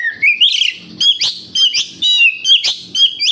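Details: Oriental magpie-robin (kacer) singing as a lure for captive birds: sliding whistles and harsh buzzy notes broken by short pauses, with faint low knocking beneath.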